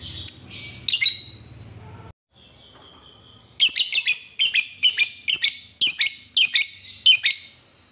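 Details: Lovebird calling a rival: a few scratchy notes, a short pause, then a run of about nine sharp, rasping shrieks given roughly every half second.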